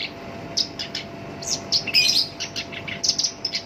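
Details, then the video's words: Captive-kept black-browed reed warbler, local name sinchan, singing harshly as a lure for songbirds: separate sharp high chirps and short buzzy phrases, a louder tangled burst in the middle, over steady background hiss. "SINCHAN (KERAK BASI ALIS HITAM) GACOR POL, SUARA KASAR COCOK BUAT PANCINGAN GACOR LANGSUNG NYAMBER"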